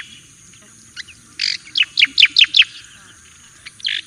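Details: Javan white-eye song used as a master recording for training: a short run of six sharp, chirpy notes in quick succession, preceded and followed by a few scattered buzzy chips, over a quiet background.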